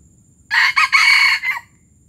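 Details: A loud, rasping crow from a Palembang junglefowl, gerabas style, split into a clipped first syllable, a quick second, a sustained broad middle phrase and a short trailing end, about one second long, in a quiet background.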